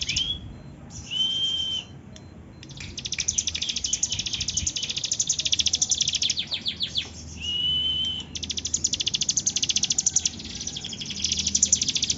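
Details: Energetic bar-winged prinia song of fast high ticking trills and buzzy chatter, broken by two clear sustained whistled notes, then resuming in dense rapid bursts; low background hum throughout.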